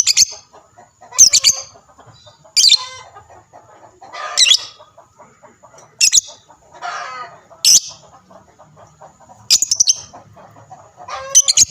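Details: Lovebird call bursts meant to draw replies from other lovebirds: sharp shrill chirp clusters spaced about one to two seconds apart, with scratchy lower-pitched notes in the gaps.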